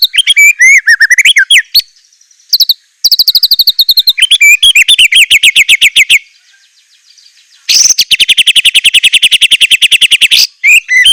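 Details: White-rumped shama (murai batu) in a rich 'isian mewah' fill-in song: looping whistles, long fast trills of high chips, a quiet gap, then a dense buzzy rattle and closing whistled notes.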